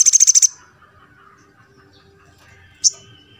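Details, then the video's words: Little spiderhunter (sogon) in a recording used to stimulate a silent bird to sing: a quick burst of about seven evenly spaced high notes, then quiet and one lone sharp chip. "TERAPI MENINGKATKAN EMOSI SOGON YANG JARANG BUNYI"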